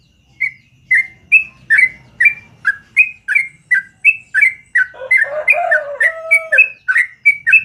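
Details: Yellow-vented bulbul in morning song, a long continuous rolling series: steady, clear, downslurred chirps about two per second, joined midway by a lower, buzzy, harsher call from another bird.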